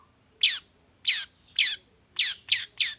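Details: Long-tailed shrike lure, played in the morning to provoke singing: six loud, harsh, downslurred squawks spaced about half a second apart, with faint high whistles between them.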